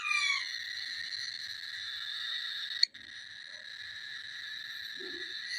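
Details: Cockatiel baby making a long, unbroken, wheezy rasping call that opens with a brief falling whistle. One sharp click sounds midway, and the drone continues for over five seconds.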